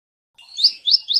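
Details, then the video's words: Olive-backed sunbird song played as a lure to encourage a lazy bird to sing: three high, slurred, rising chirps in about a second, after a brief silence. "PANCING SUARA Burung Kolibri Ninja yang males bunyi agar rajin bunyi,gacor, dan ngeplong"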